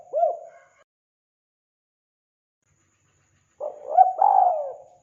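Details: Spotted dove recording for luring wild doves: a lone short mellow coo note, a long pause, then a blurred cooing phrase with a drawn-out falling coo.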